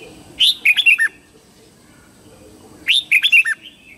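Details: Red-whiskered bulbul singing at dawn, two matching phrases about two and a half seconds apart, each a rising whistle followed by three or four rapid, cheerful descending warbled notes.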